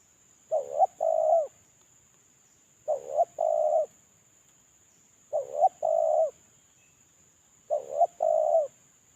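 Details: Moulting spotted dove giving a lure call: four evenly spaced two-part coos, about every two and a half seconds, a brief wavering note and then a drawn-out smooth coo. A steady thin high whine runs throughout.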